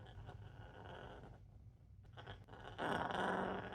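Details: A female pet parrot, afraid of a newly bought mini vacuum and pinning her eyes, gives a low, harsh, raspy growl, loudest in a rough burst near the end, over faint room noise.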